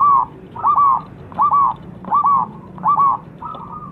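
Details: Zebra dove song used to lure birds into singing: five or six clear, rolling coo phrases spaced about every 0.7 seconds, each with a doubled stuttering note, against a steady low hum.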